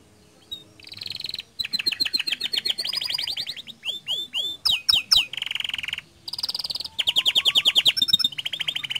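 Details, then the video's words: Canary in energetic 'gacor' song, used as a lure to set other canaries singing: nearly unbroken high-pitched phrases of fast trills, rolling repeated notes, buzzy bursts and steep sweeping whistles, switching to a new phrase every second or so. "Pancingan Efektif Banyak Kenari Ikut Gacor Dengan Suara Kicauan Kenari Gacor Ini"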